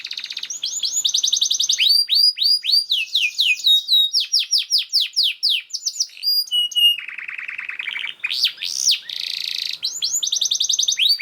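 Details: Canary song used as master recording for other canaries: long varied sequence of fast trills, descending whistled sweeps in series, buzzy rattles and rolling repeated phrases, nearly continuous.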